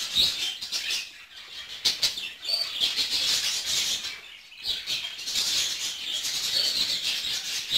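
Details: Budgerigars in a breeding aviary in Ankara, Turkey: overlapping high chirps and warbling chatter from many birds, broken by bursts of wing flapping and scuffling.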